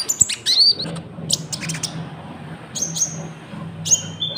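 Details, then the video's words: Konin lure recording for trapping and cage-bird training, filled with cricket sounds. Sparse high thin whistles and short chirps sit over a steady low hum and background noise. "PANCINGAN GACOR BURUNG KONIN ISIAN JANGKRIK"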